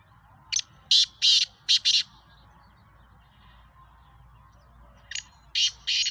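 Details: Captive Sheedi Nasal black francolin repeating its grating call twice, each a series of four or five harsh rasping bursts, separated by about three seconds of quiet.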